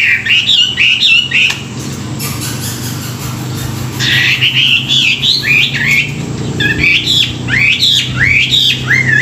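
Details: A Chinese hwamei sings in the morning, played to train and stir up wild-caught birds: loud, rich whistled phrases rising and falling in quick varied bursts between brief pauses, over a low steady hum.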